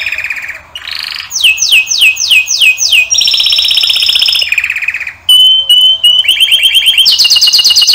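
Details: Male canary in full song: a low rolling trill, a run of five sweeping downward notes, steady buzzy rolls, a pure whistle and a closing bright high trill.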